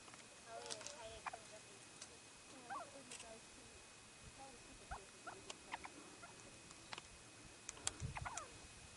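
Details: A nearly fully grown white-tailed ptarmigan (Lagopus leucura) chick gives soft, thin peeps, some slurred up and down, scattered irregularly while running about an alpine meadow on Mt. Rainier, with faint rustling.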